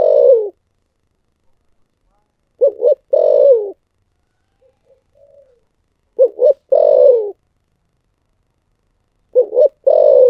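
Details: Spotted dove with the sought-after 'thổ sấm' voice coos steadily. Phrases of two brief notes plus a long, low, descending coo repeat about every three and a half seconds, with faint murmurs between them.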